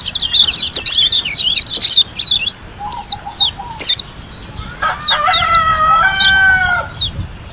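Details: White-eye from Lombok delivering gacor ngalas song: fast, high twittering sweeps and sharp whistled notes. A brief low trill comes midway, and a loud drawn-out rooster-like crow overlaps the last part.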